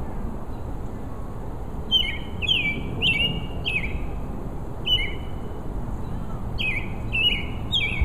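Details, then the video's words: Robin, a male, singing hard to win a mate, giving bright chirpy notes that drop sharply in pitch, in loose groups of two or three spaced through the recording, against a soft constant background hiss. "Robin singing his heart out."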